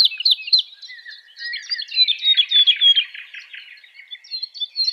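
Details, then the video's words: A wild oriole sings in nature, giving a busy run of high twittering and short whistled notes, several per second, with a brief pause before a final clear whistled phrase. "تغريد طائر الولوال في الطبيعة"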